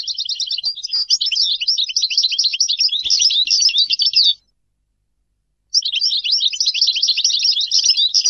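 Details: European goldfinch singing two long bursts of fast, liquid twittering and jangling notes, separated by over a second of silence.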